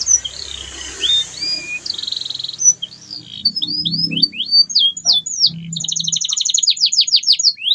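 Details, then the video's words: Gacor canary song to prompt silent canaries to sing: whistles and rolls under background noise and low rumbles early on, then a clear stretch of rapid repeated chirps and trills. "CUITAN KENARI 100% GACOR PERANGSANG KENARI BISU AGAR KEMBALI GACOR"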